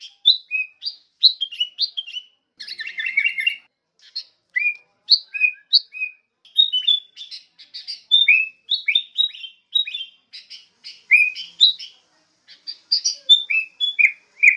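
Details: Sooty-headed bulbul lure used to train songbirds: lively continuous chirping with bubbly rising and falling notes, a brief dense chattering burst early on, and short phrases repeated throughout.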